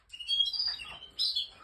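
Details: Clear canary phrase: a ringing, slightly descending whistled trill, a short pause, then a second bright chirpy burst trailing into softer notes. The background is nearly silent.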